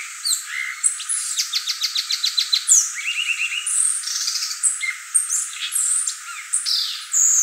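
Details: A violaceous euphonia sings rapidly, with a long stuttering series of even, clicky notes, a run of short rising whistles, then scratchy high squeaks and twitters.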